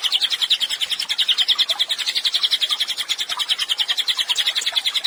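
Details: Chatty Cililin delivering a master track for songbird training: rapid, high-pitched chirped notes strung together in a steady trill, the rhythm wavering slightly as the notes rise and dip in pitch.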